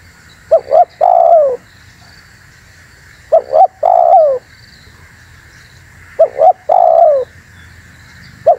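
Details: Spotted dove calling as a lure for wild doves, said to agitate other doves: phrases of two short looped notes and a long downward coo, repeated roughly every three seconds, over a low steady hum.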